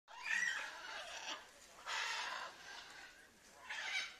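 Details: Blue-and-yellow macaws rescued from captivity and rehabilitated, being released back into the wild; harsh, broadband squawks come in three long bursts, fairly distant, with a steady background hiss.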